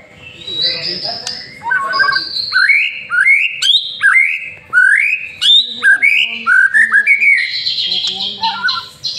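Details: Lure song of a master-trained white-rumped shama: a rapid string of rising whistled notes about once a second, climbing and swooping, ending in a high buzzy rattle.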